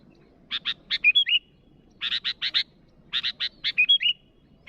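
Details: A sooty-headed bulbul calling rivals with runs of four or five harsh chattering notes, sometimes ending in a fluty whistled flourish, repeated in quick bursts.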